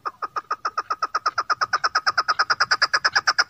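A female chukar gives a steady run of short, clucking chuck notes, about seven a second, growing slightly louder and quicker; no other sounds intrude.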